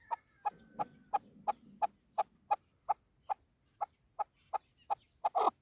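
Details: Female chukar partridge kept for hunting repeats short, dry clucks roughly three times a second at an even pace, with a low murmur early on and a louder harsh note at the end.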